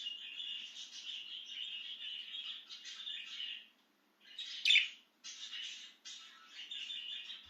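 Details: Out of its cage and excited, a budgie gives a long run of continuous scratchy warbling chatter, then a short gap, one sharp loud chirp, and more rapid warbling.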